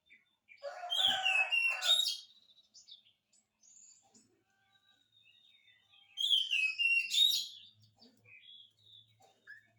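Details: Oriental magpie-robin song aimed at provoking reluctant birds to answer. Two loud bursts, each mixing harsh chatter with swooping whistles, are separated by several seconds of faint scattered notes.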